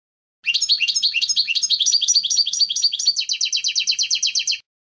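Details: European goldfinch clean contest song for training young birds: fast chattering high twitters, then an even, rapid two-toned trill repeated many times, clear and uninterrupted.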